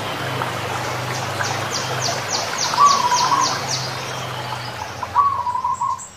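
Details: Wild zebra dove singing: two short bursts of soft, fluttering cooing notes with a slight warble, about two seconds apart. A rhythmic insect chirr pulses high above throughout, over a low background hum.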